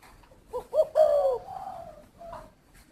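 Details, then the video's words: Spotted dove giving a soft coo phrase: two short quiet notes, then a longer, louder coo that slides downward and trails off. A faint further note follows in a quiet background. "chim cu thổ"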